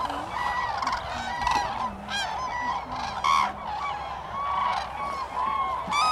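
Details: Cranes at Sweden's Lake Hornborgasjön, April 2017. Ringing trumpet-like calls come in bursts over a constant babble of the flock, with occasional lower honks underneath.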